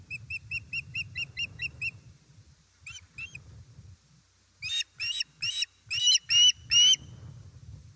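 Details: Fish delivery at an osprey nest in Estonia, 1 September 2019: evenly spaced thin whistled chirps, two sharper notes, then six loud, strained yelps growing harsher toward the end.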